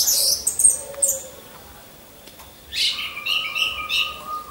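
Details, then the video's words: Orange-headed thrush kept caged and hung among a row of birds, used as a lure for song training; very high squeaky notes, a pause, then a burst of shrill trilled phrases over a steady lower whistle. "Pancingan Burung Anis Merah"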